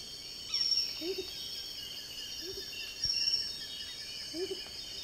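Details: Perched Amazonian Motmot (Momotus momota) in Tambopata, Madre de Dios, in the southern Peruvian Amazon, giving soft, low hooting notes about every 1.5 seconds, under a steady high insect drone and faint calls of other birds.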